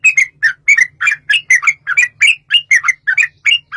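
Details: Sooty-headed bulbul giving a long rapid fighting song, used as a lure to prompt bulbuls to answer. An unbroken string of short, bubbly, liquid double notes repeats roughly every quarter second. Slight low hum in the background.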